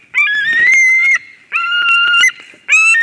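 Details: White-tailed eagle at a nest in Durbe, Latvia, on 13 August 2023, as a strange ringed eagle flies into the nest: three drawn-out, whistled, slightly wavering calls, each about a second long, with faint rustling between.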